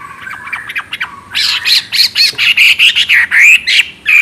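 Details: Lively song of a Chinese hwamei with a clear voice: quiet mixed chirps at first, then a burst of loud rapid notes, bright and slurred, tumbling on at roughly one every quarter second.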